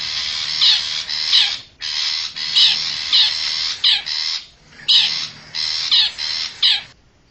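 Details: Lure call of a wild forest long-tailed shrike for attracting wild birds: clusters of rough, buzzing screeches in groups of two or three, with short pauses and a quiet ending.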